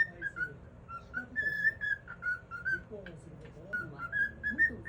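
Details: A cockatiel, secretly filmed, whistles the tune "If You're Happy and You Know It" in clear, steady notes, rising and falling in short phrases; it tends to stop singing once it notices it is being filmed.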